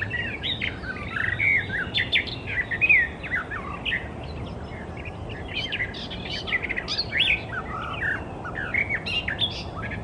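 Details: Icterine Warbler singing in wild nature, a hurried, varied medley of harsh chatters, whistled slurs and squeaky notes, delivered in bursts with short gaps over soft outdoor background noise.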